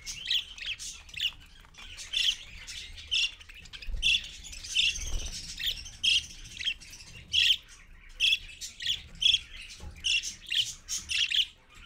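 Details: Early morning, 6:20 AM, a parakeet with its young: a run of loud, rasping squawks repeated roughly twice a second, with a busy chatter of fainter calls beneath and a dull low thump midway.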